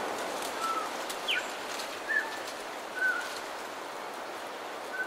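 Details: Bellbird calls at dawn on the coast: a few separate ringing whistled notes and one sharp rising slur, spaced about a second apart, over a steady hiss.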